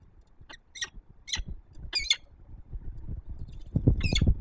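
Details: Female peregrine falcon calling at her nest high on the Palace of Culture and Science, Warsaw, Poland, morning of 19 September 2024, before flying off. A quick run of harsh, high, scratchy notes, with low thuds and rumble beneath.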